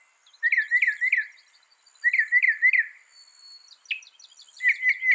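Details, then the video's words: Northern mockingbird, a mimic of some 200 sounds, sings groups of three rising, slurred chirps, pausing between groups, then a single sharp downward note and another quick chirping run. "Masteran suara burung NORTHERN MOCKINGBIRE bisa merekam 200 suara"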